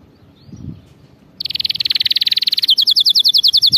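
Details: Canary singing, meant for training young canaries in correct song: after silence, a rapid buzzy high trill runs over a second, then shifts to a slower tour of crisp repeated notes, about six per second, with faint low rumble.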